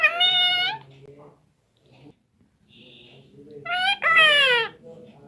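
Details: Pet parrot, nine months and nineteen days old, talking in Hindi indoors: two loud, high, harmonic drawn-out utterances, one at the start and one near the end, separated by a faint low human voice and near silence.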